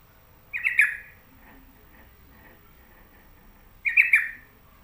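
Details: Sooty-headed bulbul kept at home uttering two harsh, chattering bursts about three seconds apart, each a short rasping cluster of notes over a quiet background.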